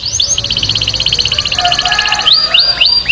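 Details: Canary singing for training, with a quick bubbling trill of short high notes and a lower warble, followed by several rising then level whistled notes, over a faint hum.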